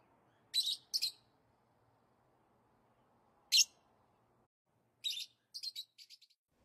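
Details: Lovebird giving a pair of harsh high chirps, a lone sharp note after a pause, then a short cluster of squeaky chirps fading into smaller peeps; near-silent between calls.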